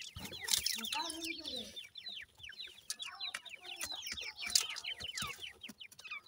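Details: Chicks of dakhni teetar, a francolin, give dense repeated high descending peeps from many birds at once, with a low murmur early on and occasional sharp clicks.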